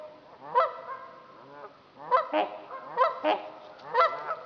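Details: Trumpeter swans on Dixon Lake, Itasca County, Minnesota, giving loud, nasal, horn-like honks: about six bursts over under five seconds, some paired in quick succession, with quiet gaps between them.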